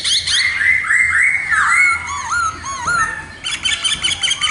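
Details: Khướu mun, the black-throated laughingthrush, delivering clear whistled slurred notes that step downward, followed by a burst of rapid buzzy, chattering notes.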